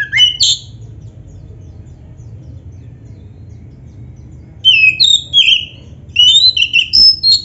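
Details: Black-breasted oriental magpie-robin, a tutor song played so caged birds sing and fan their tails: a brief whistled phrase, a long silence, then fast chattering whistles and sweet high notes in two bursts.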